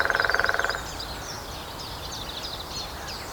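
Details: A lesser spotted woodpecker drums on the trunk of a dead tree at Grathem, Netherlands, 23 March, 14:00: a rapid, even roll of about fifteen blows under a second; small birds twitter and chirp, and a green woodpecker also calls.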